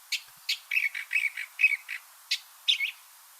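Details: A California Thrasher sings a rapid-fire run of about a dozen short, high, scratchy notes in three seconds, with double phrasing and possibly some mimicry. No other sounds intrude.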